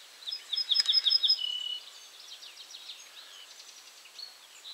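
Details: Ortolan bunting at Julków, 3 June 2017, delivers a phrase of about six quick, identical bright notes ending in a lower sustained tone, then fainter chirping from distant birds continues.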